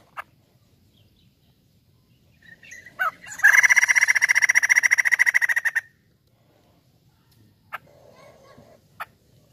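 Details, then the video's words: Crested laughingthrush, a kept songbird, with faint clicks, then a loud rapid rattling phrase of even pulses lasting over two seconds, followed by quiet and a few sharp knocks. "POKSAY JAMBUL GACOR"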